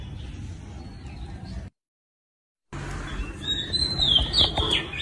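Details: Song of an Oriental magpie-robin: after an abrupt cut of silence, a lively burst of sweet whistles and slurred high notes, some sliding downward, set against a constant low hum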